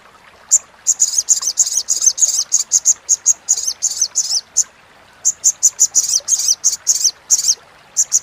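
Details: Sogok ontong (sogon) chattering, recorded as a master track for training competition songbirds: rapid, high, dry chips in dense runs for about four seconds, a pause, then further quick bursts; faint background hiss.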